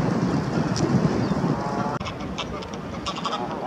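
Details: Canada geese, a pair on a lake shore with the gander displaying aggressively to his mate before a Greylag chases them off, give rough nasal honks in quick uneven bursts over noisy background, with a midway break.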